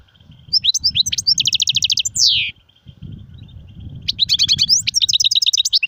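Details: European goldfinch song in sirfati, gzirati and tsersir styles: rapid metallic trills and a sweeping buzzy downslur, a short gap, then more tinkling, rattling twitters over steady low-pitched background noise.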